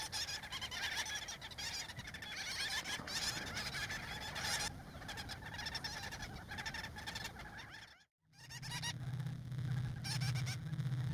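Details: Breeding colony of gull-billed terns in central Spain during chick-feeding season: many birds calling at once in a steady harsh chatter, a brief drop-out near eight seconds, then a low steady hum beneath the calls.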